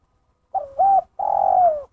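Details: Spotted dove calling in the 'kuk satu' style: a short wavering double note followed after a brief gap by a long, smooth coo that slides downward at the end, clean and close.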